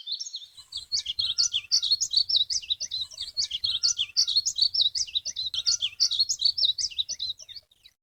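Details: Painted bunting song: a rapid, continuous warble of high, sweet notes, jumbled chirps and short slurred phrases running almost without pause for about seven seconds, with a faint low rumble underneath.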